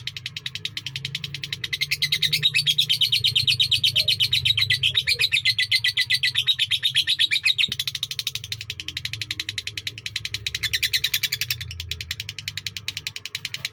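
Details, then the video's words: Indonesian lovebird in an extended sakera song, a continuous fast rattle of scratchy notes that swells in the middle and eases toward the end, over steady low background rumble. "Love Bird SAKERA durasi panjang"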